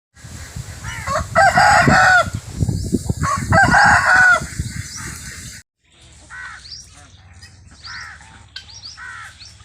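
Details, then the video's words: Free-range rooster on an organic farm crowing twice, two long harmonic crows of about a second each, with a steady low rumbling background and softer chirping bird calls after a brief pause. "Rooster sound"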